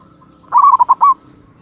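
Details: Local Indonesian zebra dove with a big voice, calling to lure an aroused rival. A single short phrase of four or five quick, hollow coo notes running together and closing on a slightly drawn-out final coo.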